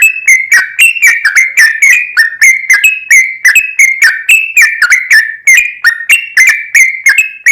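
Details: Long, lively song of a yellow-vented bulbul, played to make other bulbuls sing: an unbroken rapid stream of sharp, bubbly whistled notes, some rising, some dipping, at nearly four per second.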